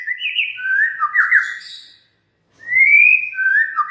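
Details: Lure song of a white-rumped shama meant to set other shamas singing: warbled whistled phrases with quick trilled twists, a short silence, then a rising clear whistle and a falling note.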